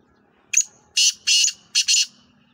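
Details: Black francolin (Francolinus francolinus), call.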